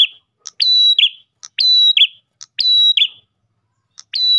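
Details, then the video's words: Ash tailorbird song used to attract rival tailorbirds: loud high whistled phrases, each opened by a quick chip and closed with a rough falling buzz, repeated steadily with short gaps. "PRENJAK GACOR pancingan burung prenjak lain"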